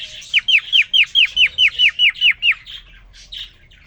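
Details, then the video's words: Male cockatiel singing for a freshly introduced female: a fast series of about eleven bright down-slurred chirps, trailing off into a few softer scratchy notes. "The most amazing, and magical Cockatiel twitting you would ever hear."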